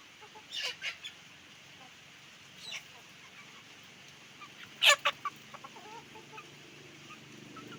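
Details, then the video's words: Roosters and hens on a chicken farm: sharp broadband squawks and clucks in short bursts near the start and around five seconds, over steady low hum and hiss. "sound of a chicken farm, roosters and hens making noise"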